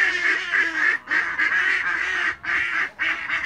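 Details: Toulouse geese in a backyard honking loudly in long, harsh, overlapping blasts, several birds calling almost without pause, with brief gaps around one, two and a half and three seconds.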